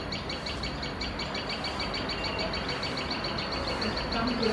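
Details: A Common Tailorbird gives an alarm call when other birds come close to its nest: sharp, high chipping notes about three per second, steady and insistent, over a low rumble of background noise.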